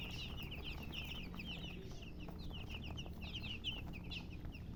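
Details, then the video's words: Colour chickens chirping: a steady stream of short, high, downward-slurred peeps from several birds overlapping throughout, over a constant low electrical hum. "silly chicken chirping sounds"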